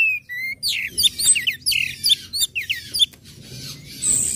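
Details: Orange-headed thrush song, ngecip, ngecit and ngeplong types, intended to trigger other birds to sing: a dense run of fast, downslurred high chips and twittering notes, repeated several times a second, ending in a thin whistle.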